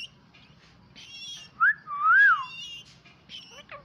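A rose-ringed parakeet gives a short whistled note, then a longer wavering, rising-and-falling whistle, with faint chatter and a low background hum.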